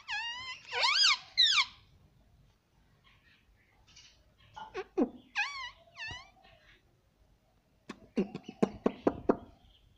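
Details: Indian ringneck parrot talking indoors: bursts of wavering, harmonic-rich vocal sounds open the recording, then shorter rising-and-falling notes, ending with a quick run of sharp clicks and chirps.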